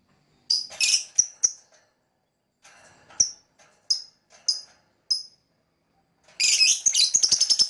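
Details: Lovebird chirping: scattered short, sharp high chirps, some with a quick downward slur, given singly or in small clusters, ending in a dense burst of rapid raspy chirping.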